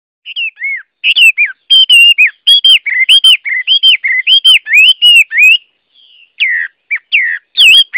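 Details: Chinese hwamei singing a loud, rich run of clear whistled phrases, rising and falling notes repeated in quick succession with a short pause before further slurred whistles.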